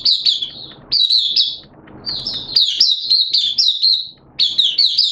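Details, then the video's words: Opening song (buka) of a hobbyist's Oriental white-eye on 11 September 2022, wet erratic weather; bright, high, rapid twittered phrases repeated in several bursts separated by short gaps with soft background noise. "Mata Puteh T-Rex Buka Sing"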